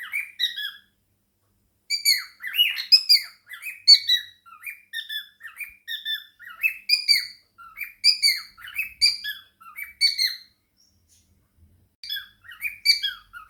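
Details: Male cockatiel kept as an indoor pet alongside budgies, chattering and singing; clusters of squeaky, falling chirps come in bursts and stop briefly twice before resuming.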